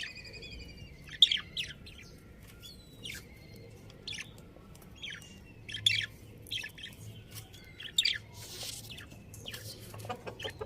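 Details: Pet budgerigar breeding pair at home chirping: scattered high, scratchy tweets and short squawky notes arrive in loose clusters every few seconds, with quieter chatter between them and a faint low hum underneath.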